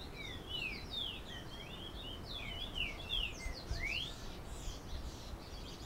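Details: Diademed tanager in Canoas, Rio Grande do Sul, Brazil, giving its "galloping" song: a quick run of clear, sweeping whistled notes, some rising and some falling, over a steady low rumble of background noise.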